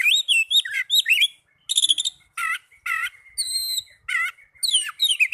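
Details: Young Oriental magpie-robin singing swooping whistles and rough buzzy bursts, a long thin steady tone threading between phrases, plus a pure high note and a closing flurry of twisting chirps.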